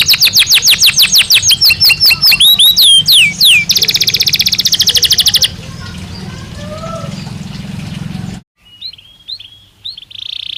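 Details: Belgian canary song for training birds: fast repeated chirps and sweeping whistles, then a rapid buzzing trill, low hum, a brief silence and a few faint whistles.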